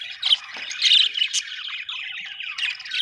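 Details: Brief budgie warbling, a tangle of squeaky whistles and buzzy chirps that swells in the middle and then settles into softer twittering.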